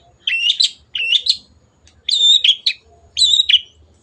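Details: Long-tailed shrike song recorded to train cage birds: three scratchy phrases mixing buzzy notes with a bright whistled line, roughly one per second, over faint low background noise.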